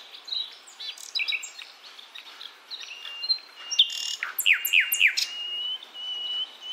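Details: Wild Javan forest sikatan londo flycatcher, female calling male, recorded as a lure for young birds: scattered high chirps build into rapid down-slurred notes and long thin whistles, fairly clear against faint hiss.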